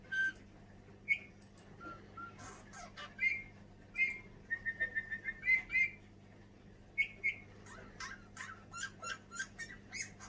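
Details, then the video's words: Tame Eurasian bullfinch kept indoors in a large oak cage, eating seeds and rowan berries and singing all day. Soft, short piping whistles and creaky notes come in loose bursts among cage clicks and rustles, over a steady low hum. "Пение снегиря"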